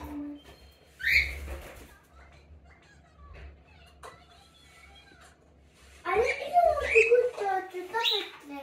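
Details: Budgerigar; mimicked call; imitating a cockatiel's call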